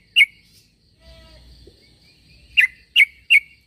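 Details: One crisp chirp, a quiet gap with faint low rumble, then three quick sharp notes in a row. A sooty-headed bulbul is calling so that other bulbuls answer.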